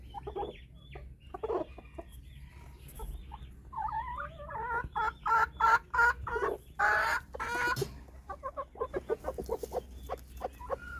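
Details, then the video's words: Farm-kept white Silkie chickens in Taxila/Wah, Punjab, Pakistan, giving loud, rapid, throaty clucks and quavering trills in bursts, building to a dense stretch of repeated calls before tapering into shorter clucks. "White Silkie"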